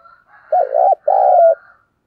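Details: Decoy coo of a spotted dove for drawing in wild doves: a faint lead-in, then a short wavering coo and a longer, drawn-out second note, with nothing else audible.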